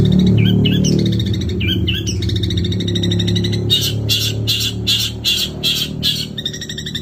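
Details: Long-tailed shrike in a long 'nembak' singing bout: high, squeaky, varied phrases, then a run of harsh, buzzy bursts in quick succession, over a strong low droning hum.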